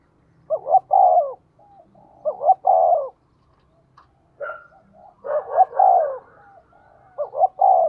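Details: Decoy spotted dove calling fast to lure wild birds: repeated low coo phrases, a quick double note then a held coo, four times in eight seconds, with faint warbles between.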